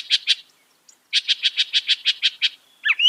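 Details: Northern mockingbird song, loud and fast: two sharp chips, a pause, then a rapid run of about nine identical clipped notes, ending in a brief slurred twitter.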